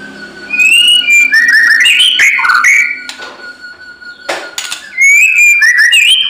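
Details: Murai batu, the white-rumped shama, delivering fighting song: rich rising and falling whistled phrases with quick flourishes, a steady thin tone underneath, a noisy quieter middle, then whistling resumes.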